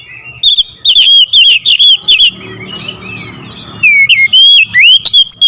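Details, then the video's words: Loud "nembak ngerool" song of an oriental magpie-robin: strings of fast, ringing, up-and-down whistles, broken midway by a brief low rustling hiss before the sharp whistling resumes. "KICAUN KACER NEMBAK NGEROOL"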